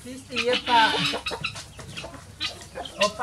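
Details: Chickens rushing out of their opened coop in the morning to go free ranging; overlapping clucks and squawks, some with harmonic, voice-like tones, in a busy, uneven burst of activity.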